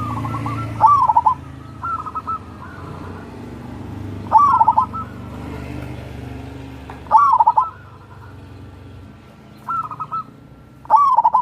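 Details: Zebra dove of local wild stock, crossing-style song used to prompt lazy birds to sing: around seven stuttering coo phrases, some loud and some faint, spaced a few seconds apart over steady low background noise.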